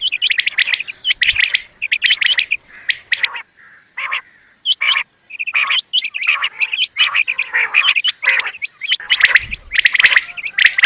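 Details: Quail calling in the evening in dense bursts of sharp, chirpy notes, repeated quickly with brief pauses, high and bright in tone.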